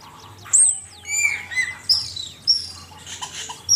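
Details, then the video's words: Master recording of an Asian pied starling for training songbirds: loud piercing whistles, falling slurred notes and short sharp chirps at irregular intervals, fading into softer chatter. "Suara burung cucak keling masteran jitu 100%"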